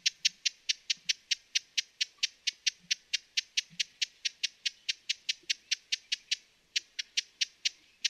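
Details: Broad-billed hummingbird giving hard, dry tick calls in a fast, fairly even run of about four notes a second, a short break near the end, otherwise quiet surroundings.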